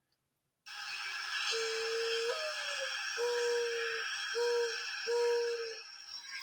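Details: Sustained held tones, like a played instrument, sound in a small indoor room with background hiss and no animal voices.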